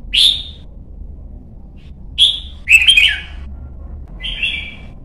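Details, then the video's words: Young red-whiskered bulbul undergoing competition singing training gives a clear whistled note, another after two seconds, then a rapid chattering warble and a final wavering whistle. "CHÀO MÀO | Luyện giọng má trắng chim non - Thúc chim hót hay hót đấu"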